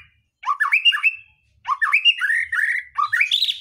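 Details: White-rumped shama song meant to spur other birds to sing: short rising and falling whistled phrases, some held notes, delivered in three loud bursts with short gaps.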